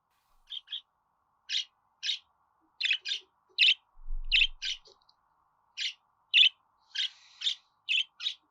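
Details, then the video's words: Budgerigar chattering in brief, harsh, buzzy chirps, given singly and in pairs at uneven intervals over a faint steady hum. "Muhabbet Kuşu Ötme Garantili Kuş Sesi,Muhabbet Kuşu Sesi"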